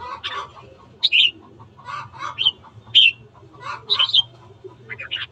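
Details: Red-whiskered bulbul morning song for provoking fights; a few clear whistled phrases stand out among harsher, clucking chatter and steady low background noise.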